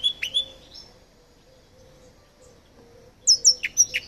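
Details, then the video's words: Mutated rosefinch, a colour mutation, singing: a whistled opening, a quiet gap, then a quick burst of high chirps and downslurred notes in a rapid irregular series. "Μεταλλαγμένος Καρποντάκος Κελάηδισμα - Mutated Carpodacus Singing"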